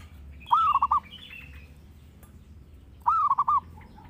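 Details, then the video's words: Zebra dove song used as a lure and master for training birds: two cooing phrases, each a rising first note then three or four quick stuttered coos, about 2.5 seconds apart, over a low background hum. "Pancingan Burung Perkutut Gacor"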